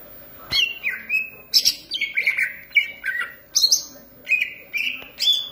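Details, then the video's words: Caged green leafbird in song, uttering loud, varied whistled notes, some rising and some falling, in short separate bursts with high sharp accents. "cucak ijo gacor manteb banget"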